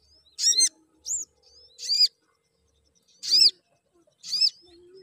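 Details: Crimson sunbird, used to encourage other sunbirds to sing: separate high, harsh chirps about once a second, mixed with thin, clear, upward-bending notes, all over quiet background.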